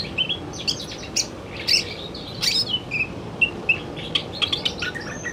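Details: Male greater green leafbird sings in the afternoon: bright, scattered whistled notes and sharp ticking chirps come in irregular bursts, some phrases high and thin, others lower and slurred.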